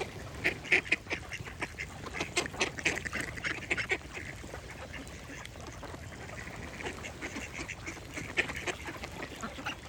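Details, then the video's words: Busy duck quacking, clipped raspy notes tumbling in clusters with louder peaks near the start and end, alongside birds singing. "Cute Duck Quack Sound Effect with Birds Singing"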